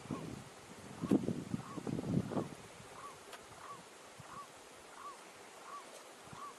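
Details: Feeding blue-eyed ground dove recorded in Minas Gerais, Brazil, giving a steady series of soft, mellow arched hoots roughly every 0.6 seconds; heavy low rustling and knocks early on, then the calls continue over quiet background.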